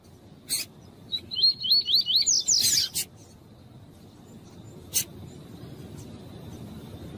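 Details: Double-collared seedeater singing in the tui-tui style, with a female calling, meant to warm up a male: a brief run of fast rising whistled notes ending in a buzzy flourish, between sharp clicks and low background hiss.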